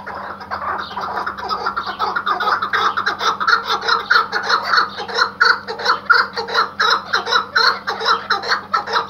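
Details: Tethered Iraqi white hunting partridge calling steadily, strong rhythmic chuck notes about two to three a second, rising in loudness, set against a low mains-like hum.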